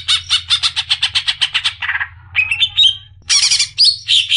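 Greater green leafbird singing: a fast run of about sixteen sharp, high chattering notes, then varied whistled and buzzy phrases, with a low hum underneath.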